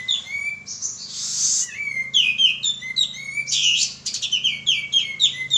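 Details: Male pied triller in vigorous lure song: a long rising whistle, a rough hissing burst, then quick series of bright slurred chirps and whistles, with another harsh blast before a final rapid run of notes.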